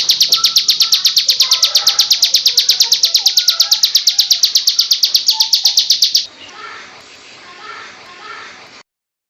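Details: Bar-winged prinia hen singing ngebrem style at full volume for bird-song training: about six seconds of rapid, regular high piercing notes, then the singing stops, leaving quiet room noise.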